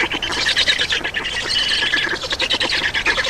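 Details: Estonian black storks at the nest during feeding, late morning of 31 May 2019: grating, noisy squawks in quick irregular pulses, loud and steady throughout a short stretch.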